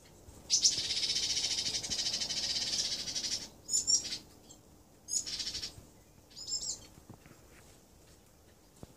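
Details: Yellow-cheeked tits (Parus spilonotus rex), a whole family together, give a long harsh, hissing churr, then three short bursts of thin, high twittering notes about a second and a half apart.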